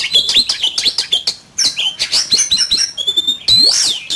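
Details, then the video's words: Fierce duel song of an oriental magpie-robin: rapid clipped chips and whistled notes run together, a short pause, then more trills ending in a loud, drawn-out buzzy whistle. "Chòe Than,Bộ Đẹp,Hót Đấu Căng Lửa"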